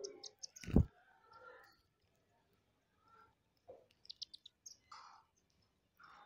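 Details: Indian silverbills at a rooftop seed feeder in the morning, where hundreds visit daily, give thin, high chips in quick bursts at the start and near the end, with a heavy thump and scattered clicking between.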